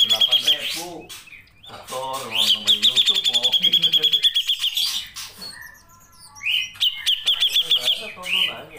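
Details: Grey-cheeked bulbul, a training recording for songbird keepers, delivering rapid trilled runs of sharp repeated notes, a long one lasting about two seconds, between squeaky whistles, with a low voice-like murmur underneath.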